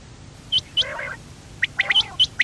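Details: A quail, given as a female quail call used for hunting in Pakistan, makes short, high, sharp chirping notes, about eight in two and a half seconds, with a lower buzzy burst between them.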